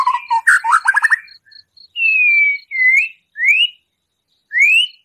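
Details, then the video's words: White-rumped shama in lively song, a full 'isian' with rough 'tembakan' phrases, played to provoke a captive shama's emotion: quick rattling trills, then long slurred whistles rising and falling, with a faint steady high ticking behind. "Murai Batu Gacor Full Isian Tembakan kasar, Sangat Ampuh Untuk Pancingan Emosi Murai"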